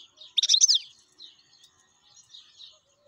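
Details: Wild European goldfinch giving a brief song phrase: one loud, bright, rapid twittering burst followed by softer chattering notes.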